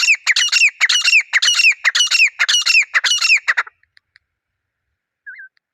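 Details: Grey francolin pair calling in the wild, a pair bonding sound: a fast, insistent series of harsh, grating notes repeated roughly twice a second for nearly four seconds, then quiet apart from one faint whistle.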